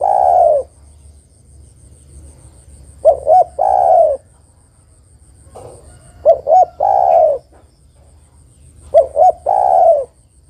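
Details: Female spotted dove calling to a male, a recording used for luring birds. Low mellow cooing phrases, each two short coos followed by a longer drawn-out coo. The phrase repeats about every three seconds over a faint low hum.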